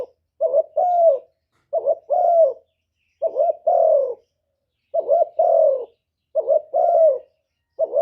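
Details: Lure call of a decoy spotted dove: repeated three-part cooing phrases, made of two short wavering notes and a drawn-out descending coo, about every one and a half seconds. Nothing else is heard.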